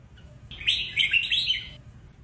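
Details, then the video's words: A red-whiskered bulbul sings in the "Sông Kôn" song style used to train other bulbuls, giving a bright, rapid phrase of warbled, slurred whistles lasting about a second, high and clear over a quiet background. "Luyện Chào Mào Má Trắng Hót Giọng SÔNG KÔN"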